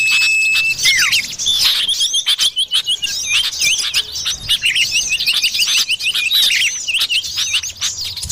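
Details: Common iora in the wild forest, played as a lure to draw birds: a long, level whistle drops into a short falling note, over a dense chorus of high chirping and twittering from many other birds.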